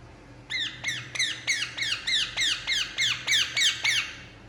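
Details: Indian ringneck parakeet relaxing and calling: after a moment of quiet, a steady string of about eleven harsh falling squawks at an even, quick pace, indoors.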